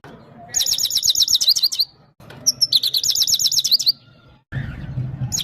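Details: Himalayan goldfinch from Parachinar singing bright, liquid twittering phrases about a second long, separated by short pauses, over a faint low background murmur; full song intended to motivate a female goldfinch.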